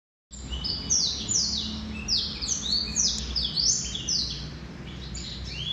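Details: Male Black-throated canary singing a fast, continuous warble of sweeping, descending high notes and short trills, phrases running together with barely a pause, over a low background hum.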